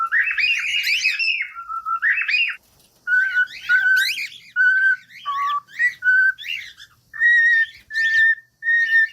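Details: Domestic cockatiel singing: buzzy warbled phrases, then a run of short, flat whistled notes at varying pitch, spaced unevenly, with a few scratchy trills.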